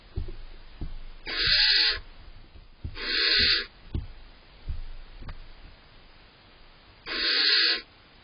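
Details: Rasping hissy screeches from barn owl owlets competing for prey brought by the male parent, a younger chick pushing hard to feed; three drawn-out bursts spaced a few seconds apart over soft knocks and rustling.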